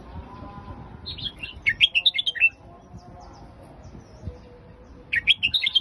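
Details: Phetchaburi-style song of a caged red-whiskered bulbul: a lively run of bubbling, slurred whistles lasting over a second, then a pause and a second phrase beginning near the end, with a soft low background murmur.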